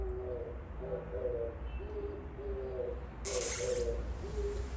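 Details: Oriental turtle dove singing outside a window, giving low, hoarse cooing notes in short repeated phrases, over a steady low rumble and a brief hissing burst of noise.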